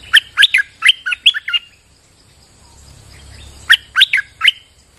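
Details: Bulbul singing on a rainy day: two bursts of loud, tumbling whistled notes, each a rapid run of about five to six notes, separated by a short quiet gap.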